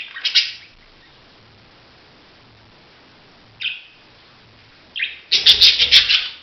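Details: Budgerigar giving harsh, scratchy chirps in short bursts, a quick squawk near the start, then a rapid chattering run of raspy notes at the end.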